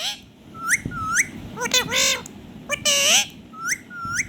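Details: Indian ringneck parrot, a talking rose-ringed parakeet kept as a pet, singing while dancing; quick upward-sweeping whistles alternate with loud raspy harmonic screeches, roughly one note per second, over quiet background hum.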